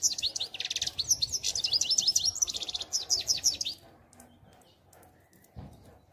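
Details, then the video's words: A European goldfinch sings a rapid, tinkling run of high twittering notes and liquid trills for nearly four seconds, then falls quiet. "Щегол Пение"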